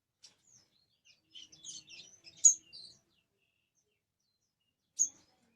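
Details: Orange-headed thrush, known locally as kamade, singing a varied phrase of high, sharp, scratchy chirps and short whistles for about two seconds, then a single loud chip a little later; otherwise quiet.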